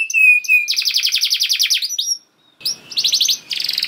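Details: Canary gacor song, played so canaries answer quickly: a steady whistled note, a fast buzzy trill of repeated notes, a short silence, then further rapid bursts.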